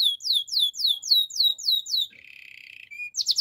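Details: Waterslager canary training song opening with about ten evenly spaced, sweeping downward chirps, then a lower fine buzzing roll, a short whistle, and a quick burst of high notes.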